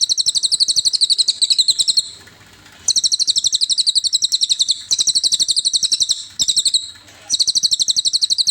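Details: Cililin master song for tutoring caged songbirds. Long runs of quick, bright, high-pitched repeated notes, roughly four each second, broken by brief gaps into several bursts. Clean recording, nothing else audible.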